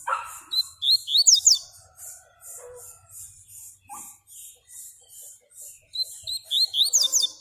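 Yellow-bellied seedeater singing two bright bursts of quick slurred, rising whistles and chips, with a steady high pulsing chatter throughout and a faint low rumble.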